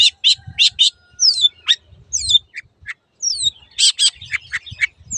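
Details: Cendet, or long-tailed shrike, song made as training material for caged birds that have stopped singing: quick harsh bursts, sweeping downward whistles and clipped chips in an irregular, chattering sequence.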